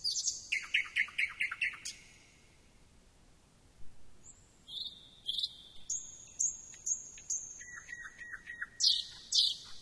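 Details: Song of a thrush nightingale: a run of rapid rattling clicks, a pause, then long steady high whistles and low clucking notes repeated several times. The song ends in sharp, higher chattering bursts.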